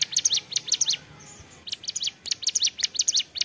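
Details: A hill prinia (ciblek gunung) sings busily in ceplekan style, with two bursts of sharp, high chirping notes separated by a short quiet spell.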